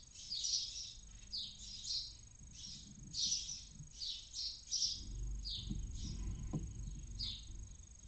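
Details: Barn owl chick inside a nest near a visitor centre in Cabañeros National Park, Castilla-La Mancha, Spain, early morning at the end of its active night, dozing off: a series of breathy, hissing bursts about every half second to second, over a low rumbling background.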